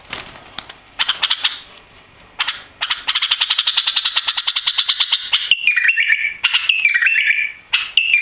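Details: A newly arrived, tailless captive White-eared bulbul sings: a fast, dry chattering run of rapidly repeated notes, then short liquid whistled phrases that step up and down.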